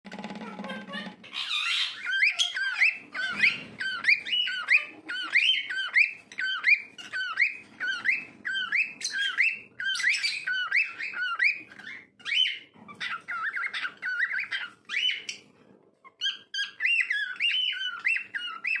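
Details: A pet cockatiel, whistling while dancing, gives a lively run of bright, rising and falling notes, phrase after phrase.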